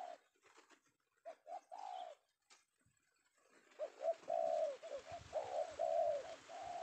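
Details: Male spotted dove taken in the afternoon, a trapper's target: scattered soft coos with handling clicks, then a run of low hoarse coos alternating short and long notes over steady background hiss.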